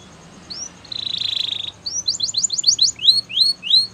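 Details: Spanish Timbrado canary singing a training song: a few thin rising whistles, a buzzy rattled trill, then fast rising and falling whistled notes in quick succession.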